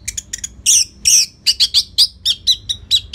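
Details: Orange-headed thrush in lively song used to train other birds. A rapid, almost unbroken series of loud, high chirps and whistled notes follows in quick succession.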